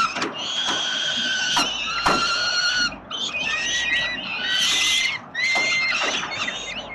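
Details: Peregrine falcon nestlings in Melbourne, Australia, crying to be fed by their father at 367 Collins on 30 October 2021; long, drawn harmonic screams, a pause at three seconds, then wavering, rising wails.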